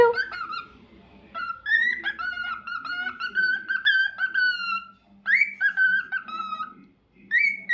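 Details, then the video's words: Singing cockatiel: a run of clear whistled notes, mostly steady or gently rising and falling, with short gaps between phrases and a brief break near the middle. "Cockatiel Crazy Singing Bird"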